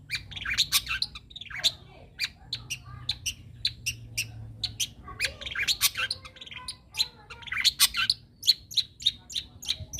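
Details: Wild young long-tailed shrike delivering a dense, scratchy, varied chatter of clicks, harsh notes and quick chirps in irregular bursts over steady low background hum.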